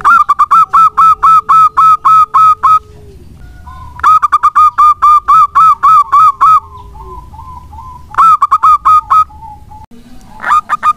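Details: Actively singing local zebra dove, a recording meant as a lure for other doves: bursts of about ten fast, evenly spaced coos, each strong and overtone-rich, with softer trailing notes between phrases and a closing burst.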